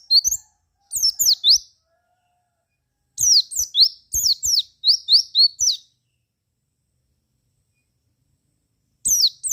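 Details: Javan white-eye song intended to set other white-eyes singing: rapid high twittering chirps in bursts of several notes, about four per second, separated by gaps of silence.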